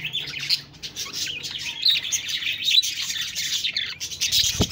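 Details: Steady warbling chatter from budgies, high twittering and squeaks woven together, with a faint low hum early on and a sharp knock near the end.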